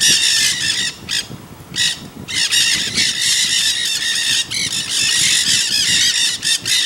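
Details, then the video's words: Flock of Nanday parakeets in the Santa Monica Mountains, Greater Los Angeles, California, on 24 October 2020, keeping up a loud, grating chorus of squawks with short pauses and faint low rumble beneath. "Nanday Parakeets Chatting"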